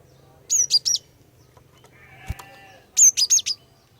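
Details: Lure recording of a female cinereous tit meant to set males singing: two bursts of three to four piercing high chirps about two and a half seconds apart, with a soft murmur and a click between.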